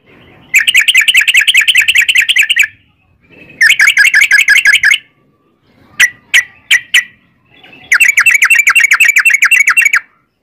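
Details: Yellow-vented bulbul 'ropel panjang', a long rapid trill: three fast chattering bursts of about two seconds each, separated by pauses, with a few single sharp notes in between; quiet background.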